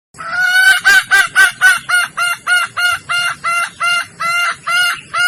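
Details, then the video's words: Calling for males, a female red junglefowl from Sumatra in heat gives a loud, fast series of about fifteen clipped, harmonic clucks at roughly four per second, evenly paced after a busier start. "suara asli (original) ayam hutan merah sumatra betina birahi"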